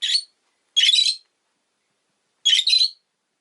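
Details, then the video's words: Rosy-faced lovebird calling with three loud, shrill, scratchy screeches. The second and third are doubled, with a long pause before the last. "Lovebird Chirping Sounds"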